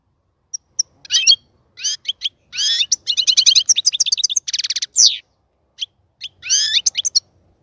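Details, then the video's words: European goldfinch in a cage prepared for breeding, singing a lively string of buzzy trills, fast twittering runs and clear chirps, starting with a few isolated notes. "الغناء الجميل جدا لحسون الحسون"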